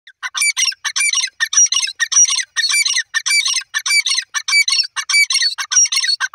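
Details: Grey francolin, locally called teetar, calling: loud, harsh, squawking notes in fast bursts, roughly two per second, repeated without pause throughout, each burst bright and rich in high overtones; no other sounds intrude.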